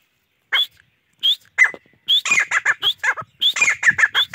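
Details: Grey francolin calling: a few sharp rising notes, then a fast run of harsh, clipped, repeated syllables.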